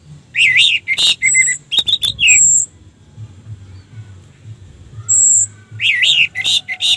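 An orange-headed thrush sings short bursts of rich, varied phrases mixed with thin, high whistles, broken by brief pauses, over a faint low hum.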